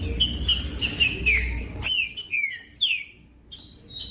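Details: A green-winged saltator sings to stimulate others of its kind: clear whistled notes and falling slurred phrases in quick succession, with a brief low hum at the start.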